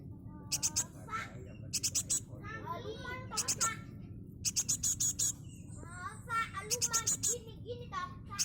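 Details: A very young Java sparrow chick, still being hand-fed, gives bursts of sharp, high, clicking begging notes about once a second, with softer twittering chatter between them over a low hum.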